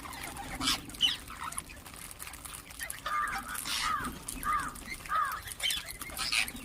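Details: Ring-necked parakeets calling and chirping: a series of short, curved, mid-pitched squawks, each rising then falling, come roughly every half second to second, with scattered fainter high chirps and a steady low hum beneath.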